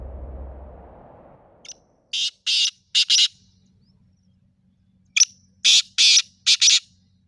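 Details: Black francolin call used to get a pet francolin to start calling: harsh, grating bursts in two groups, first three and then four rasping notes, separated by silence, with a low hum at the start.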